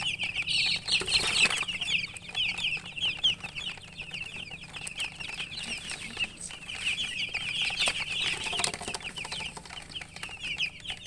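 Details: Just-born domestic chicks peeping loudly, many calling together in a dense, steady chorus of brief, high, slightly falling chirps, about two per second, with soft rustling and a few bumps behind.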